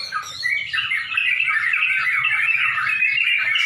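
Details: Sooty-headed bulbuls at a bird song contest in Pemalang near dusk: dense overlapping chattering and whistled phrases, several birds singing at once with rapid bubbling notes and no clear gaps.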